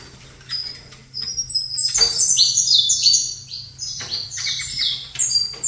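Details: Saffron finch in a cage, singing opposite a rival bird: a dense burst of high, squeaky, downward-sliding notes tumbling quickly together, louder mid-phrase, over a faint constant electrical hum.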